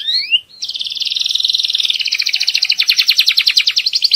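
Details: Belgian canary from a breeding room, singing to teach young birds and prepare the female for breeding: two rising whistled sweeps, then a long high trill of rapid pulsed notes that grows more distinctly beaded toward the end.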